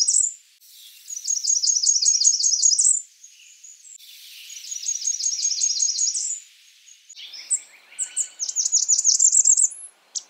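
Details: Blackburnian warbler calling: three runs of very high, thin, rapidly repeated zipping notes, each about two seconds long, the last run ending on a sharp upward note, with short breaks of quiet between them.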